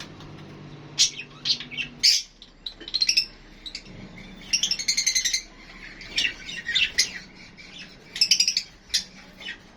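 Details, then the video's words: Lovebirds calling: scattered sharp, high squeaky chirps and short chattering bursts separated by pauses, with a faint low hum at the start. "Love Birds HD Sounds"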